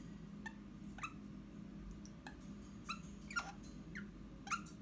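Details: Pet Eastern rosella indoors, recorded 29 January 2021, giving short, quiet whistled chirps, each sliding downward, spaced irregularly about once a second, over a steady low room hum.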